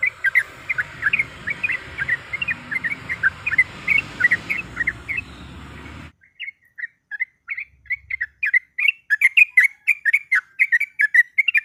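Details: Yellow-vented bulbul, a female calling a male, meant to provoke a rival: bright bubbly notes in quick succession, first over a hissy background, then after a short break in cleaner, louder chattering bursts.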